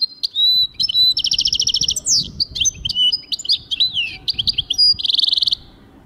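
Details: European goldfinch in full song: high whistled notes, rapid rattling trills, slurred chirps and twitters mixed in a varied, energetic flow, with two dense buzzy trill passages.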